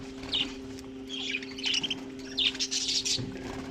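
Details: Colony budgerigars kept with cockatiels give short scratchy chirp bursts roughly every half second to one second, over a continuous low hum.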